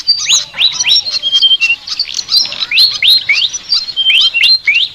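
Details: Flycatcher singing an unusual chattering song: rising whistled slurs mixed with short level whistles, delivered in a lively, uneven string of phrases.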